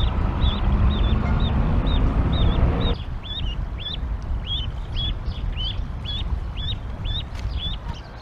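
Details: Canada goose family at a nest near Decorah, Iowa, on a rainy 37-degree April 28, 2022, as goslings leave the nest: rapid series of short, high, rising peeps, roughly four per second, over heavy rain hiss that drops away after three seconds.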